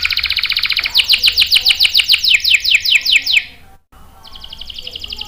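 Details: Canary song played to train young canaries; a fast buzzy trill gives way to evenly spaced sharp chirps about two per second, then a short break and another trill.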